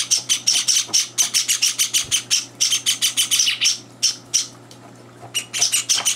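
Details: Begging Java sparrow chicks, three days after arrival, fed while older birds interfere; rapid insistent high chirps in a long run, a short lull, then another burst.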